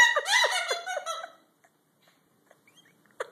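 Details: A Moluccan cockatoo that habitually mimics cursing gives a quick burst of harsh, squawky, speech-like syllables for about a second and a half, then falls quiet apart from a faint click and a short squeak.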